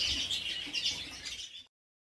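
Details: Redpolls in an indoor bird room in December: a short burst of rapid, high twittering chirps from several birds, overlapping and uneven, cut off abruptly after under two seconds.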